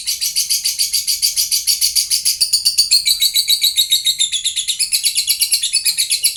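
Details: Caged lovebird song played to make other lovebirds respond: a fast, shrill chatter of high pulses, about three to four per second, steady throughout, with a thinner descending strand in the second half.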